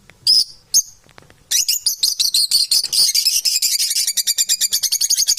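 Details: Unbalanced domestic parrots indoors: two separate harsh squawks, then a long, fast, shrill chattering series of buzzy pulses that keeps going to the end.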